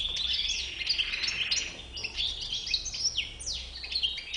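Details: Goldfinch, described as a white-bearded goldfinch, singing a rapid, tumbling jumble of high twittering notes, buzzy trills and sharp rising and falling whistles, continuous with no other sounds.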